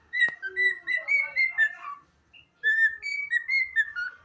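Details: A pet cockatiel whistles a learned anthem in clear, pure notes, two phrases of stepped, rising and falling tones split by a short pause.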